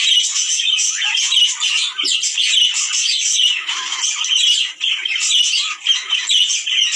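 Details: Breeding-stimulation sound of budgerigars for males and females: a steady, thick chorus of high twittering and scratchy squawks from several birds, with brief dips in loudness near the end.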